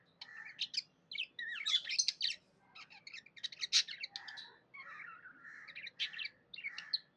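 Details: Happy budgie chirping: clusters of rapid, scratchy warbled notes and sharp clicks, broken by short gaps, with a softer buzzy stretch toward the end.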